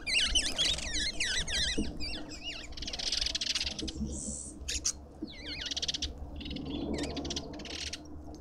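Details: Lovebirds at a feeder in a suburban garden in Pretoria, South Africa, give shrill, wavy chirps in rapid overlapping bursts, several birds calling together, with a low background hum and broadband rustling.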